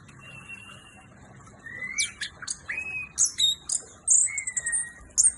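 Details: Indonesian orange-headed thrush (anis merah) singing a lively, varied phrase: a steady low whistle, then rapid high sweeping notes, sharp chips and slurred whistles tumbling together in quick succession over a soft background hum.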